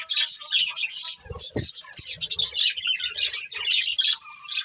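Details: A breeding pair of budgerigars twitter busily, bright high chirps and scratchy warbles tumbling together, punctuated by a louder squawk and light tapping sounds.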